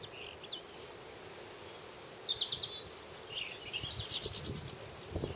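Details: Linnets in a garden twittering in quick, high, irregular chirps and short buzzy trills, with a faint outdoor hiss and a few low thumps behind.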